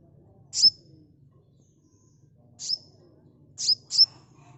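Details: Sunbird sound meant as a fast-response lure. Single piercing high notes with a thin whistled tail come first, spaced well apart, then a quick pair close together near the end.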